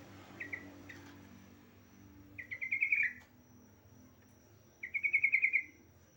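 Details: A female yellow-vented bulbul calls for a male with two rapid rattling trills several seconds apart. A few short chirps come earlier, over a low background hum.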